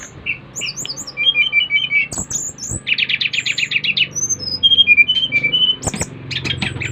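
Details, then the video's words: Five-month-old brown-chested jungle flycatcher from Bali, recorded 30 July 2024, singing vigorously to provoke other flycatchers into song. Thin whistled notes are followed by a dense rattling trill, then scattered clear whistles, over a low hum. "Kicauan SRDC Bali Gacor memancing Srdc lain ikut gacor"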